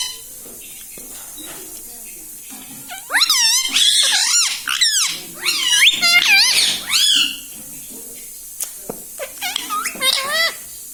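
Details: Pet green ring-necked parrot talking indoors: after three seconds of quiet room tone, bursts of high harmonic syllables with wavering, curving pitch arrive in two clusters, followed by shorter rising squeaks near the end.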